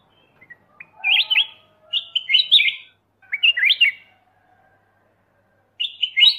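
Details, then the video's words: A black-crested bulbul sings lively chirruping phrases, four bouncy warbled bursts in a row followed by a long gap, then one more phrase. "Black Crested Bulbul Call And Song"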